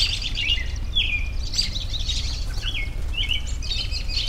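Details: Outdoor bird chorus for relaxation: repeated sliding whistles, each dropping in pitch, mixed with busy chirps and trills from several birds over a continuous low hum.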